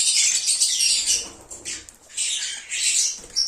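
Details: Lovebirds singing and chirping, meant to call back an escaped bird: two bursts of shrill, high squeaky chatter separated by a short quieter pause near the middle.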